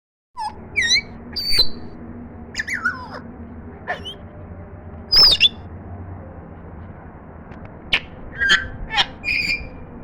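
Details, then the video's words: African grey parrot trying to talk for the first time: about a dozen scattered whistles, squeaks and short squawks, some sliding up or down, over a low steady hum. "African Grey Parrot Talking"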